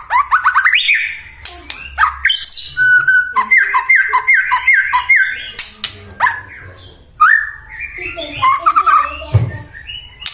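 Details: White-rumped shama song played to rouse other shamas: a dense, varied medley of rising whistles, a quick string of repeated slurred notes, harsh squawky bits and scratchy chatter, with a low thump near the end.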